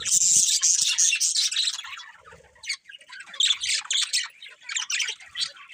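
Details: Budgies chirping loudly at first in a run of shrill, bright warbles, then fading into quieter broken chatter before rising again in scattered squeaky bursts.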